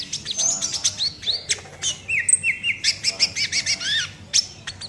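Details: Vigorous 'nembak' song from a sunbird, with rapid high chirps, thin sustained whistles and curved slurred notes packed closely together.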